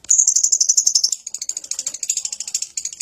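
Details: Shrill, very high lovebird ngekek chatter, a quick stream of thin, scratchy pulses about four per second, slightly uneven and softening toward the end.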